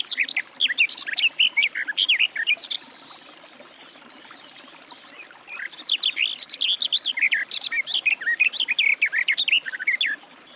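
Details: Garden warbler (Sylvia borin) delivering two long warbling phrases, each a rapid, even stream of sweet, varied notes, separated by roughly three seconds of quiet.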